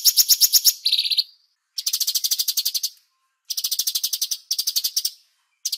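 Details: Bulbul (cucak cungkok) master recording for songbird training: rapid bursts of high, rattling chips, each lasting about a second, broken by short silences, with a single rising whistle near the start.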